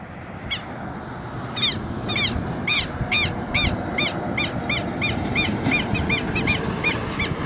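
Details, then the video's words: A pair of Southern lapwings defending a nest, bold and calling a lot: a rapid, uneven series of harsh, strident calls, about three a second, often overlapping as both birds call, over constant low rumbling noise. "Casal de kero kero cantando bastante."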